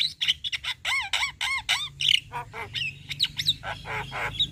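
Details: Javan myna in full chattering song, recorded as a master for training other birds: fast series of harsh, nasal squawks and bent whistled notes, some repeated in quick pairs, with a low steady hum beneath.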